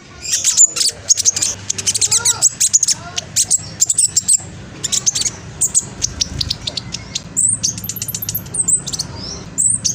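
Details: Speckled juvenile black sunbird from East Java, Indonesia, chattering quickly to make other black sunbirds answer. A long, restless stream of high, scratchy ticks and sharp whistles, with short gaps and a low background hum.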